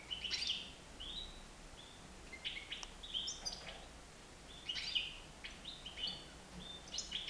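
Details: Indoors in a living room, a free-flying nine-month-old European goldfinch utters repeated bright chirps and short twittered phrases, loosely spaced, over a quiet background.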